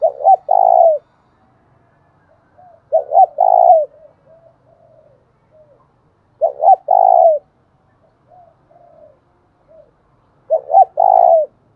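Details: Spotted dove lure call meant to provoke another dove, a strong phrase of two short notes and a long drawn-out falling coo repeated about every three and a half seconds, faint soft coos in the gaps.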